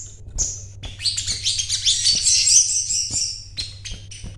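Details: Sogon, or crimson sunbird, a bought bird singing actively: a few shrill chirps building into a buzzy, continuous high twitter, then dropping back to separate sharp notes, low hum underneath.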